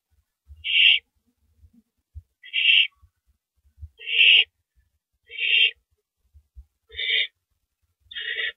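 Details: Night at an owl nest, April 6 2012, male arriving with rabbit prey: a series of six harsh hissing screeches about a second apart, later ones slightly more broken and doubled.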